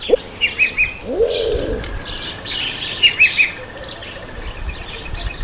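Speckled pigeon gives two low, swelling coos that rise then fall, while small birds chirp high and quick in the background.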